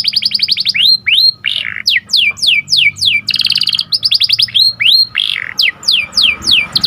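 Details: Canary singing cuit cuit with sharp rolling trills, used as a training lure for breeding canaries: a rapid trill opens, followed by a run of bright downward-sweeping whistles, brief buzzy rolls, and further swoops.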